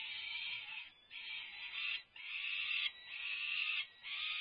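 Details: Feeding time for UC Berkeley's resident peregrine falcons, May 24, 2024, with tugs of war over food; continuous rasping, nasal screams repeat with brief breaks, about five drawn-out calls.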